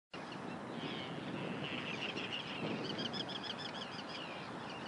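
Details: Forster's tern recorded 9 June 2013 under cloudy conditions gives rough, grating calls, then a fast string of short, high, clipped notes, over a constant wash of wind or distant traffic noise.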